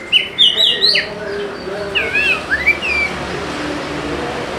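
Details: Oriental magpie-robin song played as a lure to get reluctant birds singing: loud high whistled notes and sweeping slurs at the start, then softer wavering phrases that fade into low background noise.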